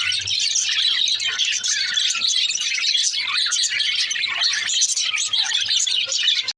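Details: Busy, unbroken twittering from female parakeet budgies: bright, scratchy chirps and warbles crowd together for the whole stretch, with occasional short downward-sliding notes.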